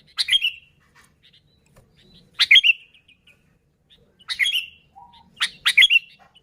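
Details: Sooty-headed bulbul, an original recording used to lure bulbuls: four brief liquid chirping phrases spaced one to two seconds apart, each a rapid rising-falling warble, with faint soft notes in between.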